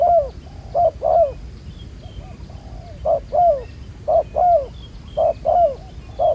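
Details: Cooing spotted dove, a black-collared wild bird, heard at a trapping site with a ground decoy. Paired low coos, short then long and sliding downward, with a pause near the start and faint high chirps behind.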